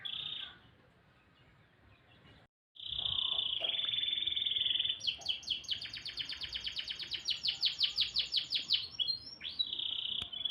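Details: A canary in morning song opens with a sustained ringing tone after a brief silence, then breaks into a long rapid trill of sharp repeated notes before returning to the steady tone.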